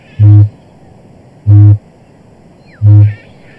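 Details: A male kakapo, a nocturnal flightless parrot, booms at night from his mating arena to attract a mate: three deep, resonant, hollow thumps, one about every 1.3 seconds, with faint higher sounds behind. He repeats this song 10,000 times nightly.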